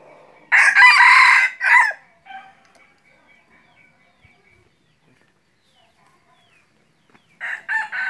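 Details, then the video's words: Junglefowl used as a hunting decoy gives one loud, raspy crow of about a second with a clipped final note. A long quiet gap follows, then the start of another crow at the end. "ไก่ต่อไก่ป่า-qaib dib qaib qus"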